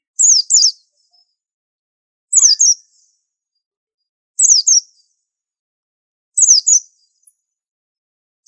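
A white-eye gives a high, thin double chirp, two quick falling notes repeated about every two seconds against a silent background.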